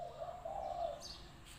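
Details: Single drawn-out, low, mellow coo from a spotted dove used as a decoy at a trapping enclosure, followed by a faint high chirp from another bird.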